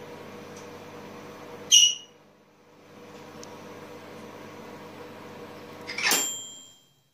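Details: Captive pet Senegal parrots indoors give two piercing, high squeaky shrieks several seconds apart, each sudden and brief, over a low steady room hum.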